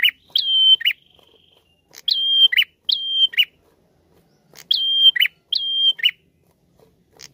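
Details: A prinia, in a live (not MP3) lure recording, sings short bright phrases, each a sharp upslurred note, a level high whistle and a quick buzzy flick, repeated about once a second in bursts.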